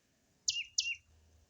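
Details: Male rose-ringed parakeet, a green ringneck parrot, gives two harsh screeching calls in quick succession. Each starts high, then slurs downward, about a third of a second apart. A person speaks just before.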